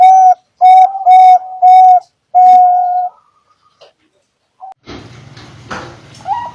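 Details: Zebra dove of the Bangkok or local type, singing actively as a lure to prompt other doves to sing: five clear, mellow coo notes at steady pitch with short gaps, then silence, followed by a burst of broad rustling noise.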